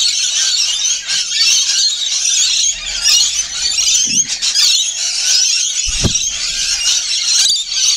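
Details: Feeding Rainbow lorikeets keep up a continuous harsh, high screeching chatter, many birds overlapping, with a couple of low thumps breaking in briefly.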